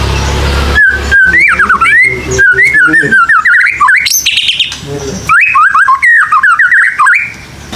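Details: White-rumped shama, a young bird just past juvenile spotting, heard in a lure recording meant to coax young birds into singing: varied whistled phrases with rapid rising and falling slurs, pauses between bursts, a steady low hum beneath.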